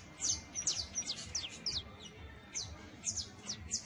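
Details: A young saffron finch gives its first songs: high, thin chirps and short scratchy trills in loose, irregular bursts, with a low background hum.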